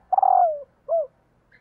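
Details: Female spotted dove calling to stir males. One long, rolling, vibrating coo slides gently downward, followed by a short, clear, downslurred coo.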